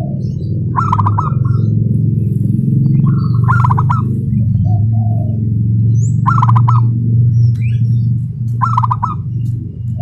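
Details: Local zebra dove, a prospect for singing contests, delivering its rapid, close-set song likened to a sewing machine; four brisk trilled coo bursts spaced two to three seconds apart, a faint coo between, over heavy low humming.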